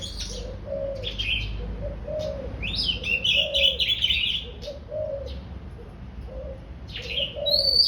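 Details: Oriental magpie-robin just coming into breeding condition, singing cheerfully: a dense run of high, scratchy warbled and chattering notes mid-clip, with brief whistles, over a soft low cooing that repeats about once a second.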